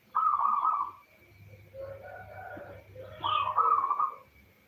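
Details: Female zebra dove, known locally as perkutut, calls to the male as a lure to make males sing; two rolling coos separated by quieter murmuring, over a faint hum.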